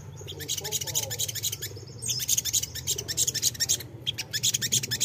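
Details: Crimson sunbird lure song, a busy, almost unbroken chatter of high, thin rapid notes with fast pulsing twitters, over a constant low hum.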